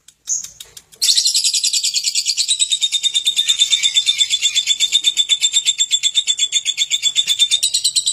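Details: A lovebird in ngekek song, opening with a single high squeak and then a long, unbroken, shrill chatter of rapid raspy pulses, about three per second, holding steady for seven seconds.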